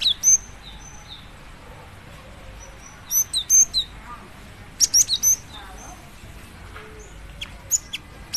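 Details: Cinereous tit female calling a male with short groups of three or four shrill high chirps spaced over several seconds, plus a few isolated thin notes and faint low background sounds.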